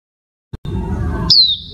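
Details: A female Oriental white-eye (Zosterops palpebrosus) gives one thin, high whistled note that slides slightly downward, after a click and a brief stretch of low rumbling noise.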